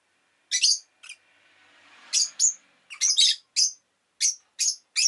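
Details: Rosy-faced lovebird giving sharp, shrill chirps roughly every half second, with a soft rushing background noise, possibly passing traffic, early on.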